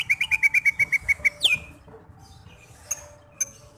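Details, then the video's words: Greater green leafbird song meant to rouse another bird into breeding mood before a contest: about ten quick identical whistled notes, then one steep upward slur, followed by near silence with a few faint clicks. "PANCINGAN CUCAK HIJAU agar birahi sebelum dinaikkan ke gantangan"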